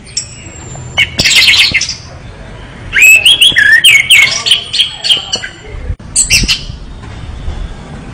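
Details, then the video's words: Singing orange-headed thrush delivering loud bursts of buzzy chatter and warbled, wavering phrases, separated by quieter moments, with one sharp break midway. "anis merah gacor"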